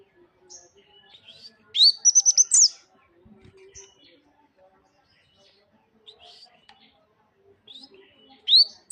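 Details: Tame bird singing vigorously: a loud burst of fast, high, sharp chirping notes near the start, with faint scattered twitters around it, then another sharp high burst at the end.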